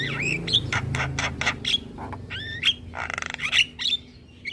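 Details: Javan myna singing hard with head-bobbing: harsh squawks and rattling notes alternate with bent, rising and falling whistles. A low droning hum sits in the background.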